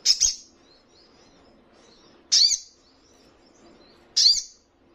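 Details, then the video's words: Crimson Sunbird training call for caged birds to answer. Piercing high chirps repeat about every two seconds: a quick double at the start, then two single notes. "Buktikan jika Sogonmu bermental Bagus..Dalam hitungan Detik,pasti langsung ikut Nyaut dan Ngleper"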